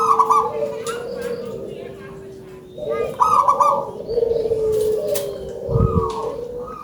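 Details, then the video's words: Loud-voiced local zebra dove singing: high rolled opening notes leading into lower sustained cooing phrases, repeated several times, over a low steady hum and a brief thump. "GACOR!!! PERKUTUT LOKAL SUARA BESAR"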